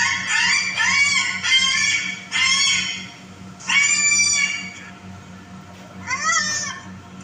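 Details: Yellow-crested cockatoo calling loudly in harsh, raspy screeches, each about half a second to a second long, in bursts separated by short pauses, with a faint steady hum behind.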